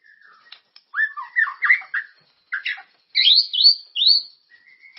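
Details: White-rumped shama song used to spur other birds to sing: a faint opening, a jumble of mid-pitched whistled slurs, then a run of high descending whistles ending in a soft rising note.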